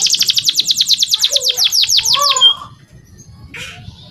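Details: Male canary singing as a tutor for young birds, with a fast series of about twenty bright descending notes, then a few lower slurred whistles and a short buzzy phrase after a pause.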